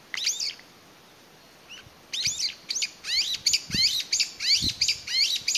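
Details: One Brown-eared Bulbul calling loudly and persistently to locate companions after losing its family, May 2021; an opening shriek, a silence, then a rapid run of shrill, rising, scratchy notes about every half second.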